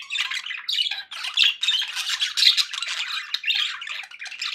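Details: Pet budgerigars sounding happy: continuous scratchy warbling mixed with squeaky chirps and a few whistled notes, overlapping calls filling the whole stretch.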